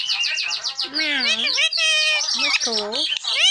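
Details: Nonstop talking from a tame green parrot: quick repeated high notes at the start, then wavering word-like phrases with low throaty vowels and descending glides, continuous without pause.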